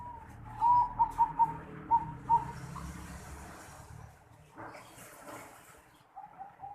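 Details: Unusual 'noklak' voice of a zebra dove, 11 December 2020. Several short, clear coo notes sound in a loose series. A stretch of background rustling follows, with a faint coo near the end.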